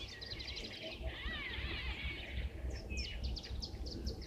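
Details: A distant sunbird at a waterhole on 9 September 2023 gives rapid, high, thin twittering and chittering runs, possibly drawn to nearby flowering trees, over a steady low rumble of wind and background noise.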